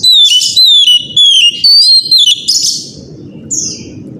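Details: Powerful morning song of an Oriental magpie-robin, used to provoke other magpie-robins into singing: a run of clear, rising-and-falling whistled phrases about twice a second, ending in softer scratchy notes against a low background hum.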